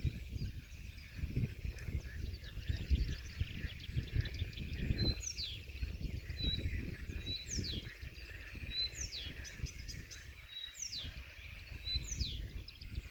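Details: Blyth's reed warbler at Millingerwaard on 1 June 2020, singing a repeated phrase: a high whistled note and a quick downward sweep about every one and a half seconds, set against strong low-pitched wind noise.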